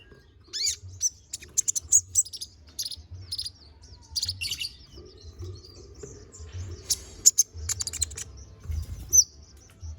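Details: Tutor song of a Konin bird for training magpie-robins: rapid, varied high chirps, twitters and short trills in uneven bursts, with a faint steady insect-like hum and low background rumble.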